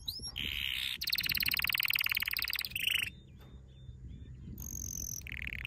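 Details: Canary training song with dense rattling trills at varied pitches, brief chips, and quieter whistled notes over low background noise.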